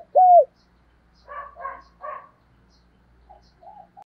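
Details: Spotted dove used as a lure for wild doves gives one loud, short, down-curving coo, then three softer, rougher notes and a few faint low coos, with a quiet background.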